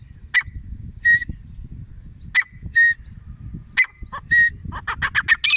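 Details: Grey francolin, locally called desi teetar, calling: a sharp click followed by a clear mid-pitched whistled note, the pair repeated about every one and a half seconds, then a quick run of harsh notes at the end.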